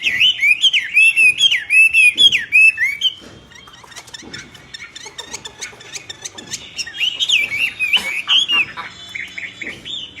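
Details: Common hill myna singing strongly, with wavering warbled whistles at the start and near the end, separated by a stretch of softer clicks and scattered notes.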